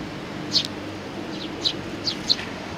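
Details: Sparrow and chick, 3 July 2019: four sharp, high chirps spaced about half a second apart, each brief and clean, against faint background noise.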